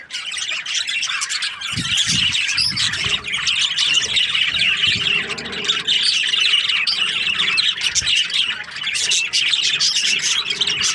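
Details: Many budgerigars from breeding pairs chirping at once: busy, high-pitched twittering and scratchy squawks overlapping nonstop, with occasional low knocks in the background.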